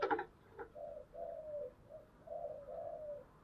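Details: Spotted dove in 'giọng thổ' voice style giving a fighting challenge call: a sharp knock at the start, then a run of soft, low coos, the last ones longer and slurred, over a dull background hum.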